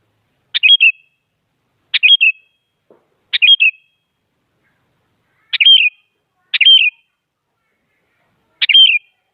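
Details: A sooty-headed bulbul sings to urge rivals into song, repeating the same brisk, sharply opening whistled phrase six times at uneven intervals of one to two seconds.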